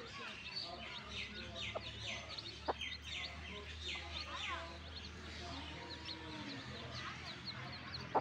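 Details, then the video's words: Baby chicks, newly hatched in a backyard flock, give a busy flurry of high, falling peeps in rapid overlapping succession over a constant low electrical hum, with a few faint taps. "New Born Baby Chicks Video | Baby Video | Chicks Sound"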